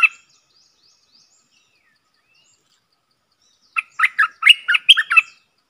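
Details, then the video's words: A Streak-eared bulbul serving as a decoy to draw in wild birds: one brief note, a long silent gap, then a quick burst of about eight bubbly, chattering notes. "เสียงนกดอกแตงEp.55 นกต่อ"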